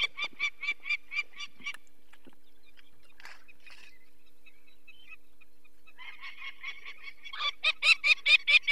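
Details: Peregrine falcon alarmed by people removing one of its four chicks from the nest, Barycz Valley, Poland, 2 May 2023. A string of sharp cackling notes, a quiet pause with a few faint sounds, then a renewed and louder rapid series.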